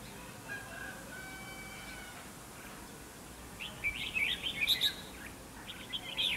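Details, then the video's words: Red-whiskered bulbul at a fighting trap: quiet at first, then a lively stretch of sharp, warbling whistled notes in fast succession near the end. "chào mào bẫy đấu"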